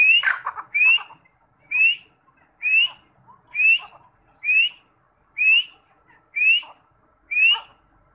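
Red partridge giving a loud, whistled, upslurred note over and over, about once a second, nine times in a steady series.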